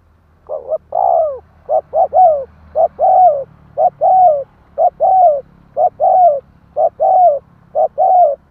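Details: Spotted dove song, a recording meant to quickly stir up wild doves: mid-pitched cooing phrases repeated about once a second. Each phrase has one or two short clipped notes and then a longer coo that slides downward. Background is quiet.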